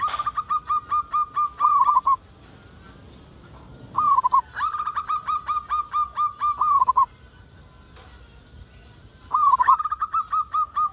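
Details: Zebra dove (perkutut) song used to lure other doves into calling: bursts of rapid, evenly repeated fluttering coos near one pitch, each phrase ending in a few slurred notes, three phrases with pauses between.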